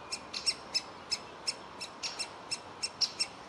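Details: A young woodpecker in a tree hole begs for food while its parents coax it out: about a dozen sharp, high, ticking notes in quick succession, some paired closely together.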